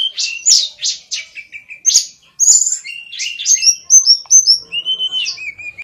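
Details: Songbird in full song: rapid high chattering bursts, then a run of repeated short whistled notes and longer falling whistles, loud and close.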